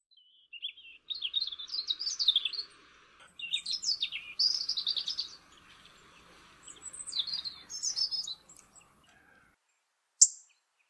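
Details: Robin (red breast) singing: short high, thin warbled phrases that rise and fall, delivered in separated bursts with brief pauses between, ending with one sharp click; quiet background otherwise.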